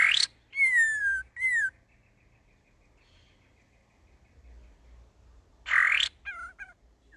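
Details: Young sooty-headed bulbul learning to sing with varied song: loud harsh burst, then clear downslurred whistles with rich overtones, a pause, another harsh burst and short falling notes.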